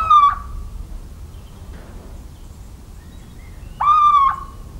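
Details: Little owl recorded 17 March 2019 in rural central France: one hoot cut off at the start, then a full, nasal, gently falling note near the end, against a soft low background hum.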